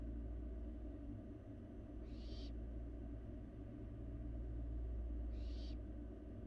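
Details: Young barn owl eating in a Florida nest box seen on a live cam; two drawn hissing screeches roughly three seconds apart, otherwise only steady low-pitched hum.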